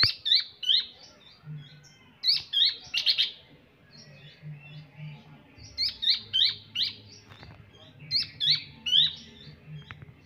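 A young Sunda bush warbler gives bursts of thin, high chirps, clustered in quick runs every second or so.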